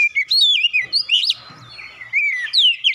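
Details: Singing Oriental magpie-robin, a lure to start other birds singing: wavering whistled phrases with sharp high flicks, a brief lull with faint low noise, then more sliding whistles.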